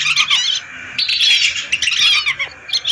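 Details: A lure recording of hundreds of lesser whistling ducks: bursts of crowded high whistled chatter separated by short quieter gaps, several birds calling over one another.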